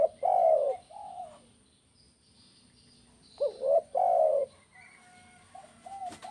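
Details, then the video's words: Spotted dove, tekukur kuk 1 style, used to get other doves singing: a long loud coo and a softer coo, then a short rising note and another strong coo, fading to faint notes. "SUARA BURUNG TEKUKUR KUK 1"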